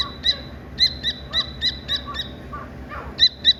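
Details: Chirping Dakni teetar partridge chick: a regular series of sharp high chirps about four per second, a brief gap with softer lower notes, then two more loud chirps; faint constant whine behind.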